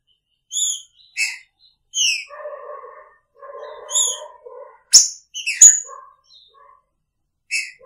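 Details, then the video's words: Picharro song of a caged green-winged saltator alongside its female: clear whistled notes alternating with harsh, buzzy lower calls, then sharp high snaps and slurred descending whistles. "Trinca Ferro com sua fêmea!! Picharro"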